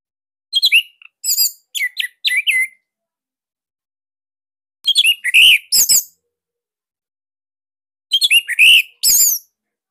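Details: Bali orange-headed thrush singing in captivity, a recording offered as song material for other cage birds; three clusters of clipped, slurred whistles and sharp chirps about every four seconds.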